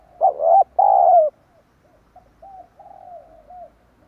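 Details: Spotted dove used to lure wild doves, opening with two loud, gravelly coos, the second longer and sinking in pitch, then tailing off into several gentle, short coos.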